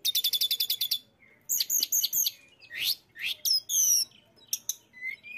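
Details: Mountain tailorbird in full song: opens with a fast even series of about ten identical high notes, followed by clustered sharp chips, upward-sweeping whistles, and a closing thin trilled phrase.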